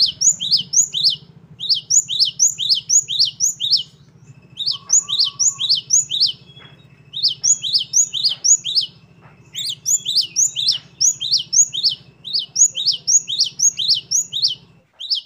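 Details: Long bout of great tit song, gelatik batu in full 'gacor' style: dense strings of quick high chirps, each a double upward flick, pouring out almost continuously with a few short breaks over a low steady hum.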